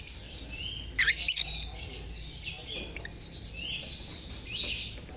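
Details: Lovebirds (Agapornis) in a colony, a recording used as a lure to prompt silent lovebirds to sing: dense, overlapping high-pitched chirps and squeaky twitters throughout, with several louder sharp bursts near the one-second mark.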